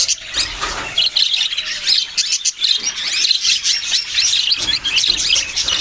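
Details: Loud budgerigar chatter: a dense stream of high, grating squawks and rapid chirps from several birds, continuous throughout.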